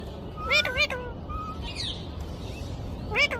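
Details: Pet talking parrot at home imitating speech: short voice-like phrases with stacked harmonic tones, one burst of syllables near the start and another at the end, over steady background hiss.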